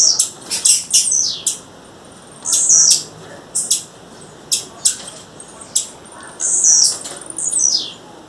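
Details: Female blue-black grassquit calling in the wild, uttering clusters of high, thin chirps and sharp ticks at irregular intervals, some notes sliding downward.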